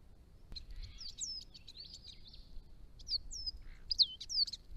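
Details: Chestnut-rumped Thornbill at garden ponds in northern Victoria, near its range edge: quick series of high slurred, downward-curving whistles in two bursts, over a quiet background.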